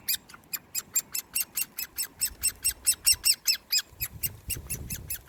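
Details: A hand-fed great spotted woodpecker (Dendrocopos major) chick on 1 June 2020 begs with harsh, buzzy calls repeated about four times a second in a steady run, over soft handling rumbles.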